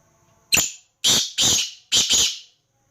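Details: A black francolin (Francolinus francolinus) calls with five harsh, grating, high-pitched notes, a single one followed by two quick pairs over about two seconds, with near silence between.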